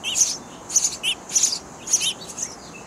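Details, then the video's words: Nestling sparrows in a bird house chirp loudly for their parents; dense, high, rasping chirps with lower squeaky notes, in bursts every half second or so. "Feeding Hungry Baby Sparrow Birds In A Bird House Nest"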